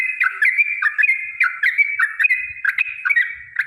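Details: Yellow-vented bulbul fighting song, long and rapid, for provoking other birds to sing: dense overlapping liquid whistles and sharp chips in continuous chatter, suggesting more than one voice.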